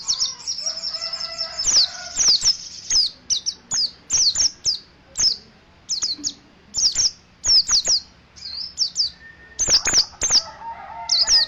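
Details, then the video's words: Mountain white-eye (dakun) from Ciremai in ngeriwik song: bursts of very high, thin, slurred chirps repeated about once or twice a second, some rapid trills, with steady lower whistled tones from another bird in the background. "Pleci dakun Ciremai ngeriwik"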